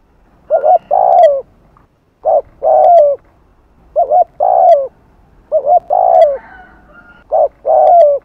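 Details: Spotted dove cooing in the afternoon in the Hạp Bổi voice style, with urging and gù phrases meant to stir other doves: low hollow coo phrases, a short note then a longer drawn coo, repeated roughly every two seconds.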